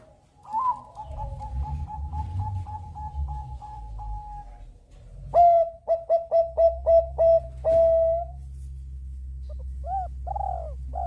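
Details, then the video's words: Bangkok-type zebra dove singing to draw other birds into singing. A rapid train of short, level cooing notes is followed by a louder, slower series of clipped notes, then a few arched coos. A low hum sits underneath. "Perkutut bangkok gacor MEMANCING BUNYI Burung Lain IKUT BUNYI"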